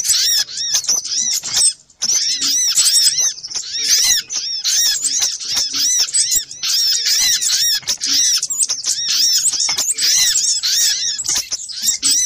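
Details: High, squeaky arched notes of little spiderhunter used as a lure, repeated in fast noisy runs with a brief break early on, sounding busy and agitated.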